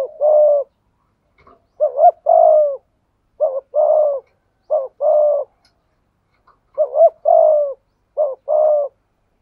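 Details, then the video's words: Malaysian spotted dove giving repeated thúc gù coos. Each phrase pairs a short clipped note with a longer mellow coo, and five phrases come in steady succession over a quiet background. "Tiếng chim cu gáy thúc gù, cu gáy malaisia gù thúc bài bản, chim cu gáy thúc gù bài bản"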